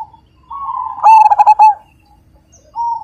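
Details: Zebra dove of the Majapahit type singing loudly: a soft rising coo runs into a quick series of loud, clipped, ringing notes, followed by silence and a brief fresh coo.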